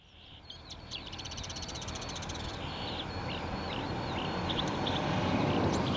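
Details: Marsh warbler singing in Lippetal, Germany, on 3 June 2021 at 10:40, recorded with a Canon EOS R5 camera: quick, high, chattering phrases and buzzy notes that grow louder over a steady low hum.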